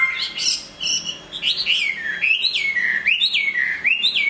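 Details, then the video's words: Hwamei song while moulting: a string of loud, clear whistles, each rising and then sliding down, repeated in an even, looping rhythm. "Hoạ mi hót khi đang thay lông"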